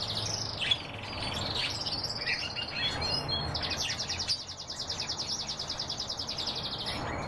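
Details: Canaries singing with buzzy rolled phrases and chirps, followed by a long even trill of fast repeated high pulses lasting about four seconds.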